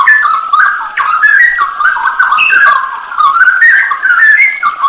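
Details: Straw-headed bulbul masteran, a training recording for songbirds, with full 'isian nembak' fills: a continuous run of rich, bubbling whistled warbles, slurring up and down through the mid range and sounding smeared and echoey throughout.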